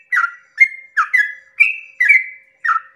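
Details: Dawn 'ropel panjang' song of a yellow-vented bulbul, played to excite other bulbuls into calling: six or so rich whistled phrases, one long level whistle in the middle, spaced about half a second apart.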